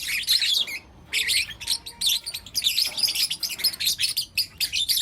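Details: Lutino lovebirds, four young pet birds, chatter in the morning with rapid, harsh high chirps, almost continuous after the first second, broken only by short pauses.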